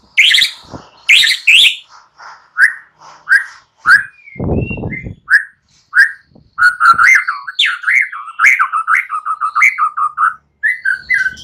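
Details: White-rumped shama singing in the morning to encourage silent birds: spaced single whistled notes at first, then a quickening run of short varied whistles and warbles, with a brief low rustle in between.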